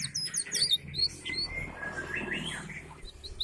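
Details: Canary, described as a 'gacor' bird that sings diligently all the time, giving high chirps and short slurred notes followed by a lower run of twittering, with a steady low hum in the background.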